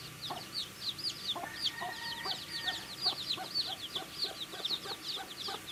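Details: Baby chickens eating and chirping: a loud, crowded stream of shrill peeps sliding downward, punctuated by clicking pecks at food, with a faint steady tone in the background.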